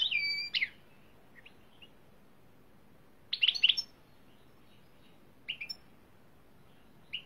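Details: Greenfinch, Carduelis chloris, opening with a drawn-out, slightly falling wheezy note, then scattered short twittering bursts separated by pauses of one to two seconds over steady background hiss.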